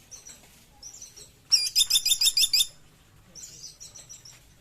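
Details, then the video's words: Sunda pygmy woodpecker calling: a loud, fast rattle of about eight sharp high notes lasting about a second, framed before and after by quieter, similar twittering series. "Suara Asli Pelatuk Caladi Tikotok"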